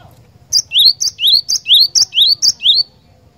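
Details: Glatik batu, or cinereous tit, singing energetically as a gacor bird: a sharp high note followed by a rising slurred whistle, paired and repeated about eight times in quick rhythm, with a faint low rumble behind.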